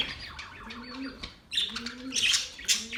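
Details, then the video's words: Short burst of mating budgerigar chatter: quieter warbling at first, then loud, sharp, squeaky chirps after a brief lull, over a low sliding hoot. "Budgies singing | Budgies mating sounds | Budgies chirping sounds"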